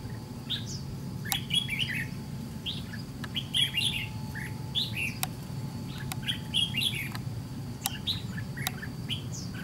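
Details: Red-whiskered bulbul, white-cheeked, being fight-trapped against a decoy: lively clusters of chirpy, whistled notes every second or so, with sharp clicks cutting in and a constant low rumble beneath.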